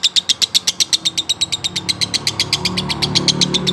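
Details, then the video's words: Continuous ngekek chatter from a male lovebird, konslet style: quick high piercing notes about four a second, loud at first and slightly softer toward the end. "lovebrird jantan konslet durasi panjang"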